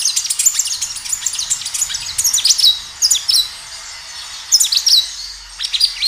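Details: Kinoi singing actively, a natural recording meant as a lure to get other kinoi to answer and sing: rapid, high, thin twittered phrases of sharp chirps and short downslurred notes, coming in dense bursts with brief pauses between them.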